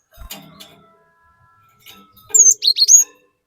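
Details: Cinereous tit singing, used as a lure to provoke rival birds: faint low rustles at first, then one loud quick phrase of high whistled down-slurred notes near the end.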